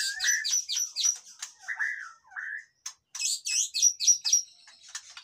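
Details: White-rumped shama in captivity, singing to spur lazy birds into voice: high chattering notes mixed with lower slurred whistles, a brief silence, then rapid high-pitched trills and sharp chips.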